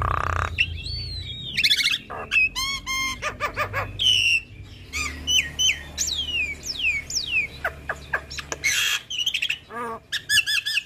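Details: Female Javan myna, kept and cared for, singing actively with a full repertoire of fill-in notes: rapid varied phrases of clear rising and falling whistles, sharp chattering bursts and harsh buzzy notes, with a faint low hum underneath.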